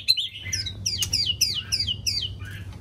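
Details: White-rumped shama singing in the morning; a fast series of clear, high whistled notes sliding downward, about six phrases in under three seconds, over a steady low hum.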